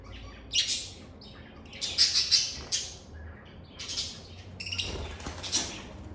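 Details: Lovebirds in a calm setting giving cheerful calls: bursts of harsh, high squawks and chirps, a quick cluster of three near the middle, then scattered scratchy notes.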